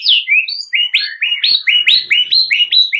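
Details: White-rumped shama song played to coax a silent bird into vigorous, fighting-style singing: a fast run of bright, downslurred whistled notes, about four per second, each sliding from high to mid pitch, loud and steady throughout.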